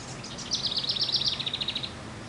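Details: Hermit thrush singing: one high, flute-like phrase of quick tumbling notes that steps down from a higher opening to a lower, evenly pulsed run lasting about a second and a half. Steady low background hum underneath.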